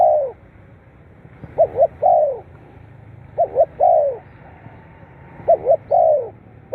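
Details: Spotted dove call meant to stimulate captive birds to sing. Repeated cooing phrases, about every two seconds. Each has two brisk short notes followed by a longer, slurred downward coo. Background is quiet.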